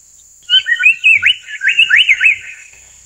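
Amur paradise flycatcher giving a quick series of harsh, chattering notes that sweep up and down, about a dozen in two seconds, over a steady high insect hiss.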